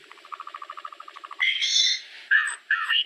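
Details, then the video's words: Solitary cacique singing: a quick run of soft, evenly spaced ticking pulses for about a second and a half, then loud, bright, harsh phrases in two separated bursts. "Boyero Negro Canto! Llamado! Sonido! Cantando - Solitary Cacique Song - Cacicus Solitarius"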